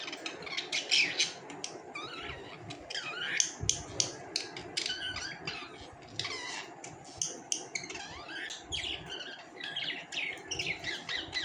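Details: Busy warbling chatter from pet budgies in a small room: a dense run of quick high chirps, clicks and squeaky notes with scarcely a pause.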